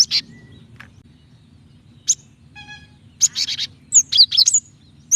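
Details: Female Java sparrow calling to a male, used to provoke singing: scattered high, sharp chirps and a quick burst of clipped notes near the end, over a low steady hum.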